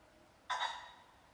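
A common pheasant gives one harsh, raspy burst lasting about half a second, loud at the start and fading, against a quiet background.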